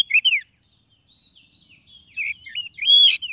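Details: Oriental magpie-robin (kacer) lure recording for trapping wild birds: a quick loud whistled flourish, then soft thin warbling, building again into rich burry slurred notes at the end.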